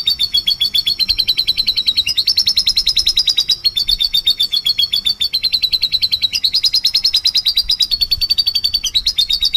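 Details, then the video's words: A canary sings non-stop as a lure bird: long rolling trills of fast, high, bright notes that shift pitch every second or two. No other sounds stand out. "Kenari Gacor Nembak"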